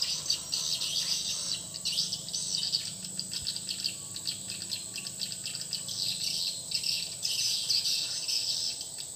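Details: Swiftlet calling sound, freshly replaced, playing in a swiftlet house: bursts of busy high twittering chirps with short pauses, set against a constant thin high whine.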